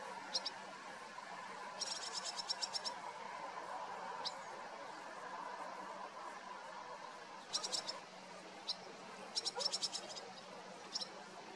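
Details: Barn swallow fledglings, two well-grown young, begging while adults deliver food; quiet clusters of quick high clicking twitters come in separate bursts every few seconds against a low, even murmur of background noise.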